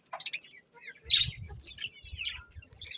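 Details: Colourful budgerigars with scattered short chirps and a buzzy warble, low rumbling background noise underneath.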